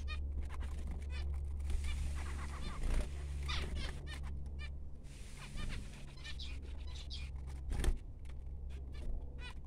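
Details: Newborn finch chicks chirping in thin, repeated, high bursts scattered across the recording, over a persistent low hum and some brief rustling.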